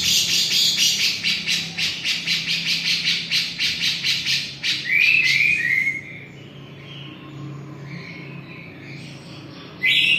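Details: Grey-cheeked bulbul of the Javan type in lively song: a fast series of bright, evenly repeated chattering notes for about four seconds, then a few clear rising and falling whistles, with quiet low background hum.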